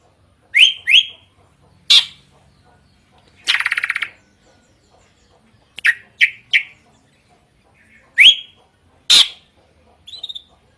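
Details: Loud, varied drongo song, said to spur young birds into singing: paired upslurred whistles, one harsh buzzy rattling burst, then more rising whistled notes at irregular intervals in a quiet setting.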